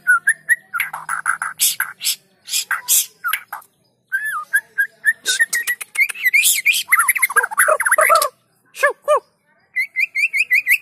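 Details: White-rumped shama song used to get other shamas singing: varied clear whistled phrases, rising and falling slurs, fast trills and dense chattering runs, ending with a series of repeated whistled notes.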